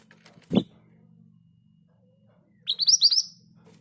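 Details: Scarlet minivet 'ngerol' song: a dull thump and low hum first, then a short run of about five bright, upslurred whistles in quick succession.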